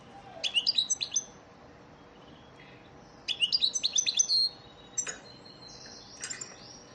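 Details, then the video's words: European goldfinch ders song for training caged birds: two phrases of quick, sweet high twitters with rising slurred notes, about three seconds apart, then sharp single chirps and a drawn-out thin whistle. "elmacık saka ders ötüm dersi"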